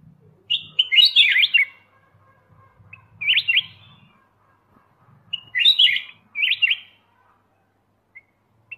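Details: Black-crested bulbul song in paired bursts of rapid, chattering, slurred notes, each phrase under a second, repeated about every two and a half seconds, with a faint low rumble beneath the first phrases.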